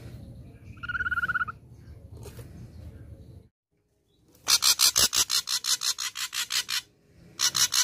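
Ashy drongo giving one clear whistled note, then a fast run of harsh, rasping notes, about six a second, with low background rumble.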